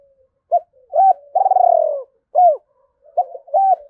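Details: Decoy spotted dove giving a Hai Hau style lure call to attract wild birds: a faint lead-in, short coos, a long vibrating descending coo, then paired short hoots. Low, mellow tones.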